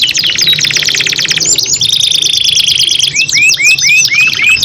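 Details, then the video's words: Two caged canaries singing against each other in a long, continuous 2-in-1 performance: rapid repeated rising trills, a sustained high whistled note near the middle, then a series of upslurred chirps, all bright and high-pitched. "KENARI GACOR PANJANG SALING NEMBAK TEMBAKAN 2 IN 1 | CANARY SINGING"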